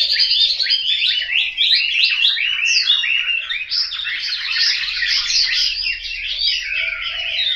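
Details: Chinese hwamei, kept as a home bird in Hanoi, Vietnam, in full song: a long, loud cascade of quick whistles, slurs and warbled notes running continuously.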